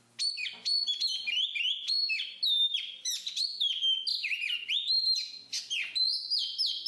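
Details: Black-capped babbler, known locally as jongkangan, singing a rapid, varied string of high whistled and chirped notes with quick rising and falling slurs, delivered almost without pause in a quiet setting.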